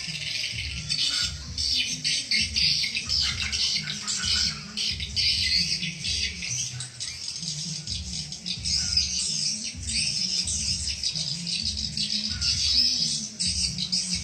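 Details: Swiftlets heard in a luring call meant to attract them: a continuous, rattling wash of fast, high chirps pulsing without pause, backed by a rhythmic low rumble.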